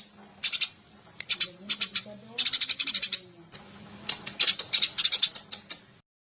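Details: Eurasian tree sparrow chirping in a songbird-training recording. Clusters of sharp, high chirps come in uneven groups, with quieter low-pitched sounds in the background.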